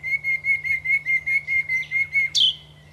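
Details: Common nightingale singing in the Aiguamolls park: a rapid series of about eleven identical pure notes on one steady pitch, then a sharp, high, descending flourish at the end; a low steady hum sits underneath.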